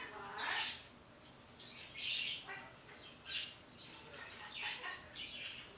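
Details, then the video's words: Pet parrot calling toward birds outside in the morning: separate harsh squawks and sharp, high chirps spaced about a second apart, with quieter gaps between the louder bursts. "talking to the birdy's outside"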